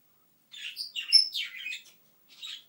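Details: Talking African grey parrot indoors, giving a quick burst of high, squeaky chirps and whistles over about a second and a half. A short chirp follows after a pause, with a silent background.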